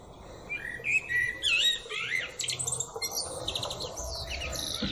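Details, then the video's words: Blackbird perched atop a tree, singing: mellow, fluted warbling phrases that slide up and down, followed by a thin, twittering high-pitched ending and scattered squeaky notes, over a low background rumble. "Blackbird Singing"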